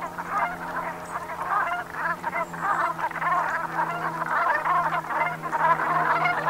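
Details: Brent geese at sunset, autumn 2021, Gulf of Morbihan in Brittany: unbroken, dense murmuring of guttural croaks in loose pulses, about one swell per second, over a persistent low drone.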